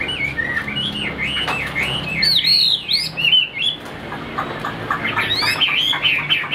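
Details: Caged Chinese hwamei in Vietnam pouring out rapid, rich whistles: looping rising-and-falling notes strung into a lively continuous song, a brief lull partway, then bright higher sliding phrases resume, with faint sharp chirps overhead.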